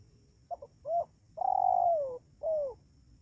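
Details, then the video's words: Spotted dove lure call for wild doves: a quick clipped double note, a short coo, a long drawn-out coo sinking in pitch, then a final falling coo. "suara panggilan maut pikat ajaran dijamin tekukur liar dua menit mendekat"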